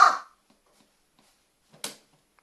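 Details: Captive carrion crow, kept on expert advice, giving one of its varied calls: a single short, harsh, low caw at the start, then near-silence and a brief second burst about two seconds later.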